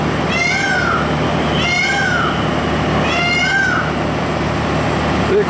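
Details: A male Indian peafowl at a CNG gas station in Kohat, displaying and then closing its feathers, gives three loud, wailing, cat-like screams about every 1.5 seconds, each arching then falling, over a running compressor.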